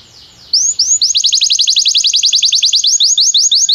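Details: Training song of a Belgian canary: after a short quiet start, a few looping high notes lead into a steady run of crisp, rising chirps repeated about four per second, bright and ringing.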